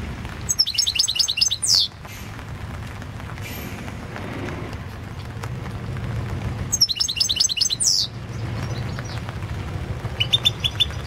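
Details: European goldfinch singing for the 2016 world goldfinch song championship: dense high tinkling trills ending in a downward sweep, repeated after a long pause, over low background rumble.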